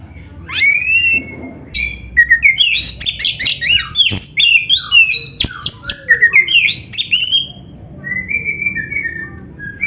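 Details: Oriental magpie-robin (kacer) song used to train other birds: a rising whistle, then a fast dense series of sharp chirps and slurred whistles about twice a second, and a final soft drawn-out whistle.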